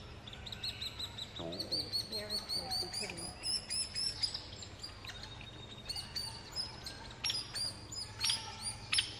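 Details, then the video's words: Hairy woodpecker nestlings near fledging, being fed at the nest in the Snoqualmie Valley: rapid bursts of high, thin chirping notes in repeated clusters, with a brief lower warbled sound early on and steady low background hum. "Hairy Woodpecker Nestlings being fed"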